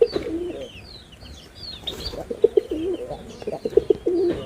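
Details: Male red-bordered wild pigeon in Bangladesh: short low coos with brief pulsing notes toward the end, over constant high chirping of small birds.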